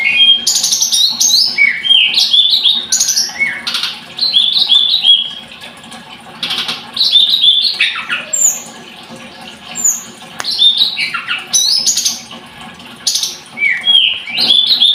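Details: Long run of Scarlet-headed flowerpecker singing: repeated high trilled bursts and squeaky, sliding whistles about three times a second, with short pauses between phrases.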